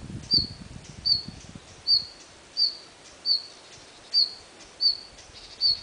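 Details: A red-flanked bluetail in Munakata, Japan, in November 2010 gives eight thin, high, short call notes, evenly spaced under a second apart, over a faint low rumble early on.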